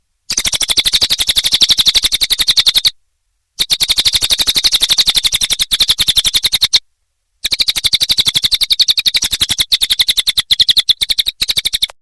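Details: Cililin song from a nonstop tutoring recording for songbirds: dense bursts of quick, high, sharp chirps repeated rapidly in three long runs separated by brief silent gaps.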